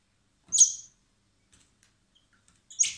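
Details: Common blackbird chicks hand-fed at a wildlife recovery centre in spring, later set free; a high, hoarse begging squeal, faint soft ticks, then another rough squeal starting as the clip ends.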